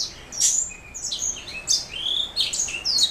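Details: Canary hybrid known as a black throat mule delivering high, sharp whistled notes and short slurred phrases in a lively sequence.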